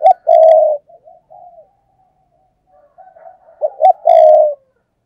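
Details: Spotted dove used as a lure for wild doves, giving strong 'thúc gù' cooing: a long, resonant coo, then soft broken mutterings, and another phrase of two short notes and an extended coo.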